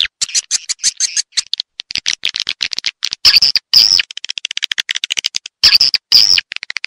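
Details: Edible-nest swiftlet lure sound known as Raja Liur Emas, used to draw swiftlets into a swiftlet house: rapid series of sharp, high chirps and clicks in irregular bursts, with a few longer buzzy twitters.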